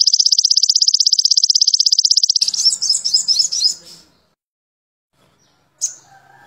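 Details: A spotted sogon (sogon trotol), in a tutor recording meant to excite other birds, gives a rapid, even high-pitched trill lasting over two seconds, then quick, varied twittering phrases before a brief final note.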